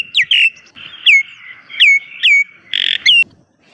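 A myna gives harsh squawks mixed with clear, downslurred whistles, about six loud notes in under four seconds. No other sounds are heard.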